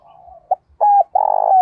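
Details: Decoy spotted dove calling to lure others. Soft cooing with a short clipped note, then a paired coo, ending in a long, sustained, slightly falling coo.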